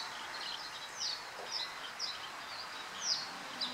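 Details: A tern in flight while hunting fish gives five short, sharp, high chips at uneven intervals over a steady hiss of wind or surf.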